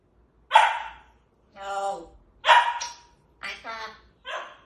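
An African grey parrot repeats a dog's name in clear, speech-like syllables, five short bursts over about four seconds, some with a gruff, bark-like edge.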